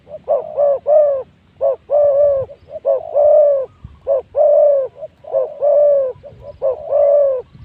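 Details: Spotted dove acting as a decoy to draw in wild spotted doves, recorded at spot 136; steady run of loud soft coos, short notes alternating with longer held ones in a regular repeating pattern.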